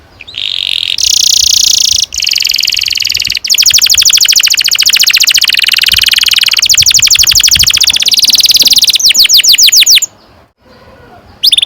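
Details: Canary, kenari, delivering a long rolling song: sustained buzzy high trills shift into a rapid even series of clicking notes over several seconds, then breaks off, with brief pauses between phrases.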